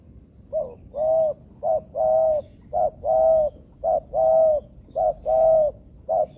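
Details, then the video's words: Spotted dove (tekukur) recorded as training material in an artificial yard. Low cooing phrases repeat steadily, each a short note followed by a longer rolling coo, about five phrases in a row over faint background hum. "Melatih Bahan Ajaran Tekukur"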